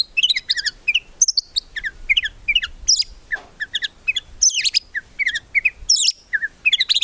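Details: Energetic song of a white-rumped shama (murai batu), full of 'tembakan' fills without 'ngukluk' sounds: varied, rapidly changing phrases of sharp whistles, clicks and high squeaky notes delivered in short bursts with brief gaps throughout.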